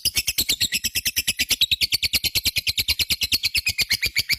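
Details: Lovebird in full-song condition, kept as a pet, delivering long ngekek chatter: a fast, even stream of shrill, rasping notes, about three per second, unbroken throughout.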